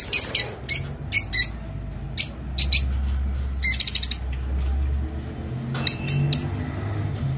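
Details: Rosy-faced lovebird song for encouraging mating: clipped high squeaks in pairs and triplets, a quick rattling series midway, then more squeaks, over a low droning hum.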